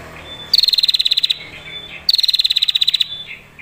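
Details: Female prinia giving a long, clear trill, used as a lure to make other prinias sing and fight: two bursts of rapid, evenly pulsed high notes, about fifteen pulses each, separated by a short pause.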